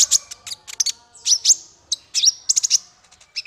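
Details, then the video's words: Male konin (Ruby-cheeked Sunbird), a caged songbird used as a song tutor for other birds: rapid, high, sharp chirps and short twittering notes in quick bursts, with brief downslurred whistles between. "Suara konin untuk masteran burung 100%jitu konin jantan"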